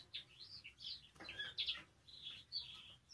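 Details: Spanish timbrado canary singing, offered as song-training material: continuous warbling phrases of rolling, trilled notes, mostly high and bright, swelling and fading in short bursts with brief pauses between.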